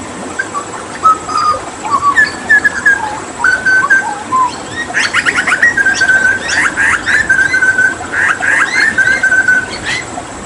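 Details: Hooded butcherbird, a Papuan endemic and skilled mimic, singing after water therapy: varied whistled notes rising and falling, then sharp clicks and a louder run of mixed whistles and chattering notes.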